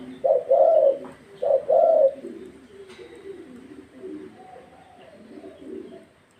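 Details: Thai 'vân rồng' type spotted dove, very fired up, gives two strong, mellow coo phrases in quick succession at the start, followed by softer, lower cooing that fades out.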